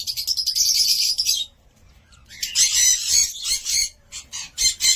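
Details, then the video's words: Cockatiel calling in dense, harsh bursts of high chatter, with a loud stretch, a brief pause, then more broken, scratchy bursts toward the end. "COCKATİEL SOUND"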